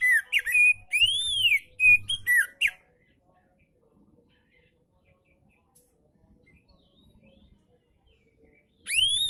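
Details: Oriental magpie-robin singing, intended to encourage reluctant magpie-robins to sing: rapid series of loud arched and slurred whistles for under three seconds, long silence, then a new rising whistle at the end.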